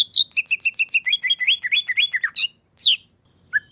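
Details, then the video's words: Male greater green leafbird in song: a fast run of bright repeated chirps and slurred whistles, high and tumbling, then a pause before a sharp high note and a short lower whistle. "Cucak ijo Ijoan"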